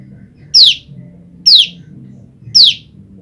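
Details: Separated from her mate, a female olive-backed tailorbird calls for him with loud, sharp, high notes sliding steeply downward, one per second, three in a row, against a faint low hum.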